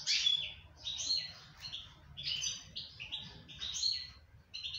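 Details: Moroccan goldfinch singing in the breeding season: bright, high twittering phrases of quick chirps and short trills, coming in bursts roughly every second.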